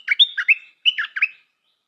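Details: Stripe-throated bulbul kept as a new decoy bird, singing two quick bubbly phrases of mixed whistled and slurred notes that drop and rise, separated by a brief pause, in a clean, quiet setting.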